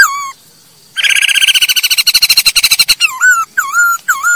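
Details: Masked laughingthrush song used to train other birds to sing: a falling whistle, then a rapid harsh chattering rattle for two seconds, followed by slurred whistled notes that dip and rise.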